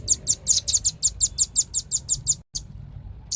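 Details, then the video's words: Quick string of about thirteen sharp, high-pitched chips from a velvet-fronted nuthatch, slightly uneven in spacing, followed by a short dropout and a couple of isolated notes. "SUARA BURUNG RAMBATAN PARUH MERAH"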